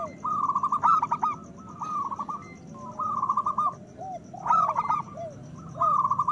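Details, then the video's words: Zebra doves, local type, singing loudly to stimulate breeding desire in other doves: repeated bursts of rapid staccato cooing, roughly one phrase per second, a few rounded lower coos between, steady low hum behind. "Perkutut lokal gacor Suara Besar Pancingan Bunyi Menaikkan Birahi Paling Ampuh"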